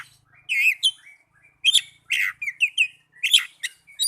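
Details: Oriental magpie-robin song played as a lure to get caged birds singing: rich whistled and warbled phrases, some rising, some sharp and buzzy, in short bursts separated by brief pauses.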